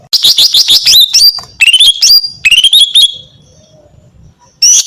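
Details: Female greater green leafbird in full song to attract males: a rapid burst of chattering notes runs into sharp rising whistled slurs, then a quiet pause before another harsh note.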